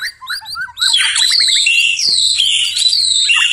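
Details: White-rumped shama singing at night, loud and varied: short rising whistles, then a fast run of descending slurred notes and dense, rich warbling phrases high in pitch, with a faint low hum underneath.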